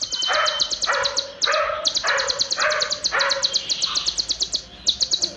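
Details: Olive-backed sunbird, or konin, singing a dense, long song filled with cililin phrases for bird training: rapid high-pitched ticking runs broken by brief pauses, over repeated lower rasping bursts.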